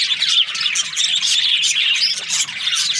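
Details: Budgerigar breeding pairs in full chorus: rapid overlapping high chirps and squeaky warbles pour out without pause, busy and bright, with no other sounds standing out.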